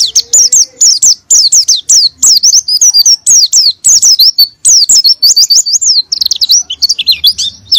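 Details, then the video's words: Oriental white-eye pouring out 'gacor' song intended to provoke a lazy white-eye into singing. Dense, tireless chains of very high, thin whistles, mostly slurring downward, blend into rising twitters near the end with no real pause. "PANCINGAN PLECI MALAS BUNYI BIAR BISA GACOR NGALAS & NEMBAK"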